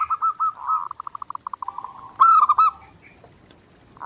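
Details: Clear zebra dove song for daily training: an accelerating series of short separate pulsed notes runs into a sustained rolling coo, then a louder stuttered phrase, before quiet.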